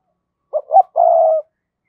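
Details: Lure spotted dove calling to draw and provoke wild doves. One clean phrase: a short coo, a slightly higher rising coo, then a sustained low coo of about half a second, with no background noise.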